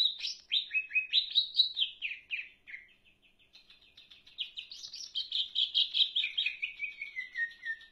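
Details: Rich leafbird song of quick warbled chirps, a soft ticking pause, then a rising, busy chatter that ends in a long sliding series of descending whistles.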